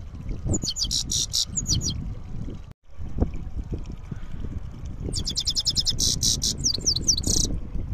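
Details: Rizdar-style rolling song of a goldfinch: two bursts of quick, high, jingling trills and buzzy rolled notes, with a long quiet gap between them, against constant low background rumble.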